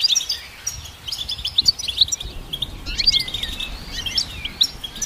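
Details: Goldfinch hybrid song used for training songbirds: bright, rapid twittering phrases with tinkling chirps and short trills, broken by brief pauses, over a soft low background rumble.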